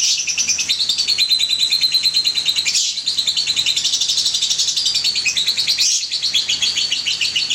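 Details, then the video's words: Young lovebird calls used as a lure sound: a loud, continuous stream of rapid, high-pitched chattering chirps with buzzy trills, repeated more than twice a second, briefly broken by two short pauses. "KUMPULAN PANCINGAN SUARA LOVEBIRD PAUD"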